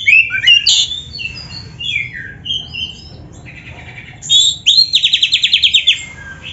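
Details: Kacer, the oriental magpie-robin, in song imitating a canary: bright twisting whistled phrases and chips, a brief lull, then a fast, evenly pulsed canary-like trill of about a dozen notes.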